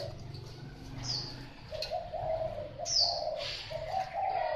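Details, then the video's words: Thai spotted dove cooing: soft mid-pitched coo notes in a loose series, growing louder toward the end, mixed with sharp high chirps from other birds and a low background hum. "Cu gáy Thái"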